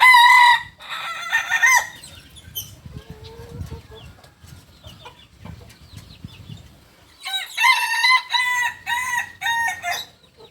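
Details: Native Solok chicken of the Kukuak Balenggek breed from West Sumatra, a rooster giving a harmonic crow at the start, then after a quieter gap with rustling and faint chirps a long, stepped, multi-syllable crow of repeated bursts.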